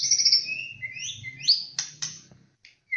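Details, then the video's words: White-rumped shama, Aceh, Bahorok, Borneo, Medan and Nias black-tailed varieties, giving high sweeping whistles that glide up, then sharp clicks, over a faint low background rumble. "Suara Burung Murai Batu ACEH, Murai Batu Bahorok Murai Batu Borneo, Murai Batu Medan Nias Ekor Hitam"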